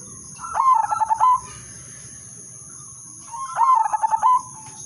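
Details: Udanmas silver zebra dove giving its melodious lure song to set other doves singing: two separate phrases of quick, bubbling, staccato coos closing with a short clear hoot, about three seconds apart, against a faint steady high hum.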